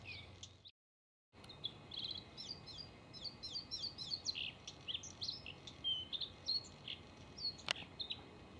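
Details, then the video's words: Male Bluethroat pouring out a lively, varied song of rapid twittering notes, metallic chirps and short whistles that follow one another almost without pause, after a brief silent cut at the start. "ВАРАКУШКА( Luscinia svecica - шведский соловей) НА ВОКАЛЬНОЙ ПРОБЕ"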